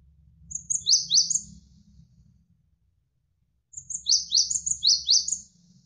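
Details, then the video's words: Java sparrow (gelatik wingko) in full, lively song, used as a training recording for songbirds: two brief bursts of high, thin, tinkling notes sliding downward, about a second each with a pause between, over a low background hum. "GELATIK WINGKO Gacor"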